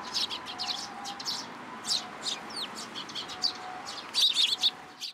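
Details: Sparrow chick arriving in a plum tree at a Tenmangu shrine to be fed, 15 June 2022: scattered sharp high chirps, with a louder tight cluster near the end and a faint steady siren tone in the distance.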